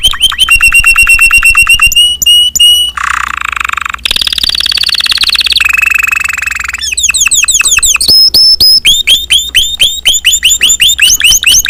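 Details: Song of a Spanish Timbrado canary: long rapid trills of repeated notes, metallic pips, a harsh buzzing roll and a low rattling run, ending in strong upslurred chirps repeated several per second.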